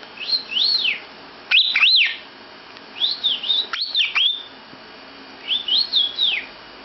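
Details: In a bedroom, a lovebird gives short bursts of whistled notes that rise and fall, grouped in twos and threes, with quiet pauses between the bursts.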